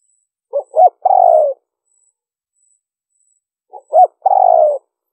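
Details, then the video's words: Lure call of a spotted dove, liêu ròng style: two matching phrases about three seconds apart, each a soft pip, a rising hoot and a sustained falling buzzy coo, otherwise quiet. "Tiếng chim cu gáy mp3 liêu ròng kích bổi hiệu quả"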